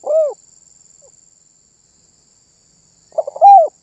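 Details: Spotted dove singing energetically, said to set other birds calling along: a single low arched coo, a pause, then a stuttered run of short notes leading into a louder drawn-out coo, quiet background.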